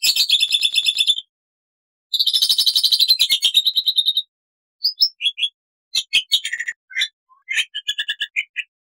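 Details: Black-winged starling in full song with varied phrases: two long, harsh, rapid chattering rattles separated by a pause, followed by a jumble of short sharp whistles and chips.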